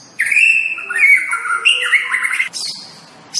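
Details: White-rumped shama song, offered as a masteran for kept birds to learn: a loud, rich run of warbled whistles, wavering up and down, ending in a harsh high squawk, then a short pause.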